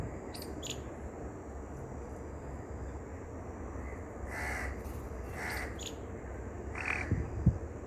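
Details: House crow (Corvus splendens) gives three harsh, hoarse caws about a second apart, while a green parrot gives brief shrill squeaks nearby, over a low steady rumble.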